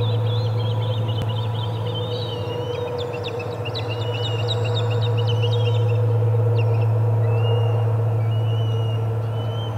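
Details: Osprey at the Charlo nest on 25 August 2020, during the first food delivery of the day: a series of short, high whistled chirps in quick succession, partly overlapping, over a strong steady low hum.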